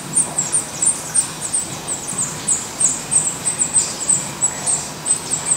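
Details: Black redstart at a nest with chicks in Portugal; a rapid run of thin, very high, short chirps repeated about three times a second, uneven in spacing, over faint low background hum.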